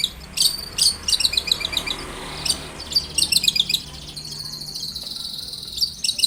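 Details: Lively long-tailed shrike song used as a lure to get shrikes singing: rapid clusters of high chipping notes, a short buzzy stretch near the end, faint low background hum.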